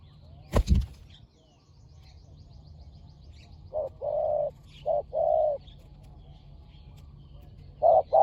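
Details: Spotted dove from a fierce pair being lured with a decoy bird. After a sharp knock and a quiet stretch, pairs of hollow coos appear, a short note then a longer one, over faint distant chirps.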